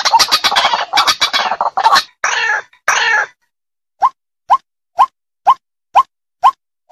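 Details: White-breasted waterhen (Amaurornis phoenicurus) giving harsh, rapid croaking grunts, then a steady series of short rising notes about twice a second; a call challenging a rival to fight, used as a lure for trapping.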